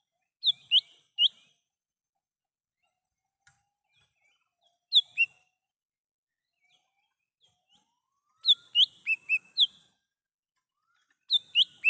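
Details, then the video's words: Lesser green leafbird in the wild, a recording used as a lure and call: bursts of two to five sharp, bright whistled notes separated by silent pauses of several seconds. "Suara asli cucak hijau mini / cucak Rante di alam liar bisa untuk pancingan dan panggilan"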